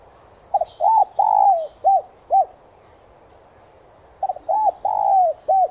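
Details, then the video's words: Lure recording of a spotted dove for stimulating newly caught doves to call: two cooing phrases with a pause between. Each phrase has clipped, arched notes and one longer, sagging coo, and faint chirps sound in the background. "Tiếng chim cu gáy mồi chuẩn thúc kích bổi nhanh nổi hiệu quả/cu gáy kích mồi tập bổi"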